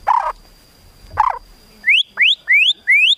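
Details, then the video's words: Murai batu, or white-rumped shama, giving rising whistled upsweeps in quick succession as tembakan filler for contest birds, after two short harsh bursts. "MASTERAN MURAI BATU FULL ISIAN TEMBAKAN MEWAH UNTUK MURAI BATU LOMBA"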